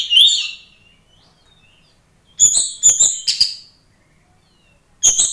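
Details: Oriental magpie-robin song meant to trigger a fighting response in other magpie-robins: an opening warbled phrase trailing into a thin whistle, a pause, then a run of four harsh, ringing bursts and a final sharp note.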